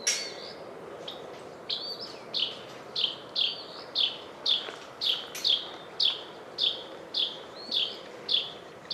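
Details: Carolina wren (Thryothorus ludovicianus) alarm call at Warbler Woods, Cibolo, Texas: harsh, buzzy scolding notes repeated steadily about every two-thirds of a second, backlit bird in shadow, over a soft hiss of background noise.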